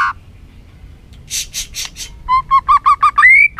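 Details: A white-rumped shama stirred to sing many voices, after some noisy bursts, gives a steady series of about seven short repeated notes ending in a rising whistle.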